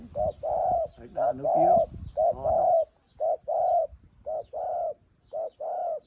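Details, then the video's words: Spotted dove singing: soft, mellow cooing phrases of a short note followed by a longer drawn-out coo, repeated roughly every second with brief pauses, clear and steady against a quiet outdoor background. "Beautiful Dove Singing"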